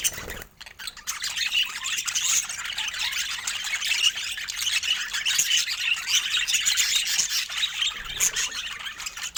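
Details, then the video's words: Pet budgerigars in a group making soft sounds of joy: a brief pause near the start, then sustained high twittering chatter of overlapping chirps and warbles from many birds. "Budgies Creating Soft Sounds of Joy"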